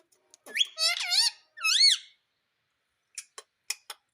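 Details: A talking parrot, said to say "mummy", gives two loud wavering harmonic speech-like phrases, then a string of short dry clicks, indoors.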